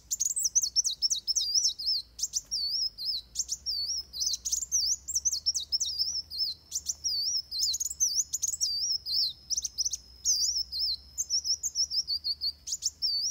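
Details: Van Hasselt's sunbird giving a fighting song, a fast, high, thin twittering of sharp chips and trills that runs on almost without a break, with a faint low hum behind it.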